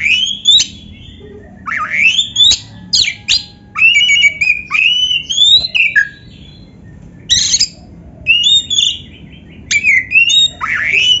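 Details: White-rumped shama (kacer) singing loudly, played as a training song for other kept birds: short bright whistled phrases and rapid chattering bursts in clustered bouts separated by brief pauses, faint low hum beneath.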